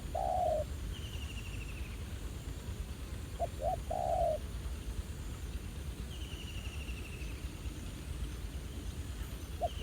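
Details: Spotted dove in the wild, lured by a ground decoy at a trapping site returned to after over a year, quite feisty; low mellow coos, short notes leading into a long one, under a faint high trill.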